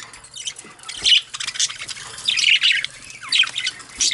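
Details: Budgerigars bathing in grass give bursts of scratchy, high chirps and squawks in quick, irregular clusters.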